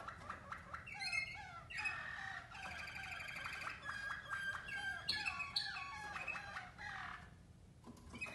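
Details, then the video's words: Waterslager canaries, Mateos bloodline, in song training, heard in a group of four: continuous rolling, bubbling trills and ringing notes that rise and fall in rapid phrases, with no clear break in the song. "Waterslager canary song"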